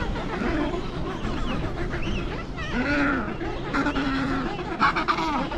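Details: On Devil's Island, Weddell Sea, along the Antarctic Peninsula, Adelie penguin fledglings chase parents begging for food, giving nasal rising-and-falling squawks and brief harsher pulsed bursts amid a busy colony background.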